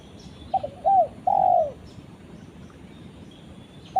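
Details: Spotted dove calling its companion: two short coos, then a long, loud descending coo near 700 to 800, soft faint chirps above.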